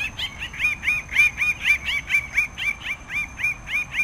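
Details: Red bird-of-paradise (Paradisaea rubra) in a fast excited run of short, bright, upward-flicking nasal notes, roughly two per second, pulsing steadily over a faint continuous high whine.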